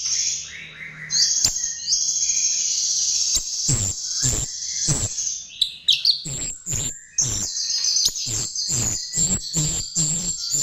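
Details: Chestnut-tailed starling song used as a lure: high, dense warbling and long buzzy trills, broken by sharp clicking notes and quick harsh bursts that speed into a rapid stuttering chatter toward the end.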